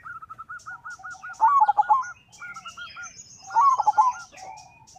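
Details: Singing local zebra dove whose voice invites rivals to answer: a row of evenly spaced soft coo notes leading into two louder, tumbling stuttered phrases, with faint high chirps in the background.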